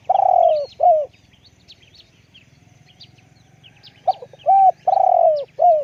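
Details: Deep-voiced spotted dove repeating its coo phrase: a long downslurred pulsed note and a shorter coo, a quiet gap of about three seconds, then stuttering notes leading into the same phrase again. Faint twittering sounds in the background.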